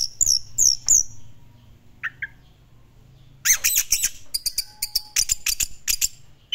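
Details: Orange-headed thrush singing vigorously in the classic style: three loud looping whistles, a brief low note, then a dense torrent of sharp, harsh chattering and whistled notes.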